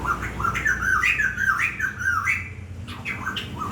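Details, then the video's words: Bird song described as beautiful: harsh, squawky notes sliding up and down, uttered in quick irregular bursts with short gaps, recorded in an enclosed space with a low rumble beneath. "Tiếng chim hót hay"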